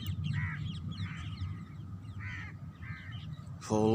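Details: Parrots calling outdoors in nature, with harsh, nasal, rasping calls repeated roughly every 0.7 seconds over a constant low background rumble. A human voice begins at the very end.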